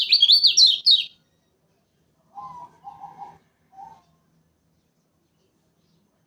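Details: Lombok lemon-bellied white-eye lure song used for trapping: one rapid burst of high, jumbled chirping notes lasting about a second, then quiet with a few faint low muffled sounds.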